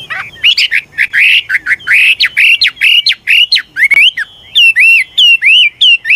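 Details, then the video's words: Singing Chinese hwamei, an aged wild bird whose varied phrases help young birds start singing: dense bursts of loud slurred whistles, then evenly spaced bright upswept notes repeated quickly. "Tiếng chim họa mi mồi già rừng hót luyến láy đảo giọng liên tục, giúp kích chim bổi nhanh hót"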